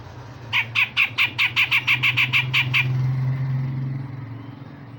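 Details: Grey-cheeked bulbul in the 'besetan kasar' and 'tembakan tajam' song style, a training recording for other songbirds: about twelve harsh, evenly spaced chattering notes over a steady low hum.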